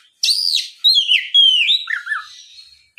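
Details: Oriental magpie-robin lure song for drawing out song from other magpie-robins; an arched whistle, then a long descending whistled glide ending in low wavering notes.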